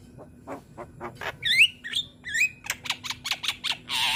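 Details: Javan myna, young and singing eagerly with head-bobbing, offered for other mynas to copy. Soft clicks build into curling, slurred whistles, then a quick run of sharp ticks ends in a harsh buzzing squawk.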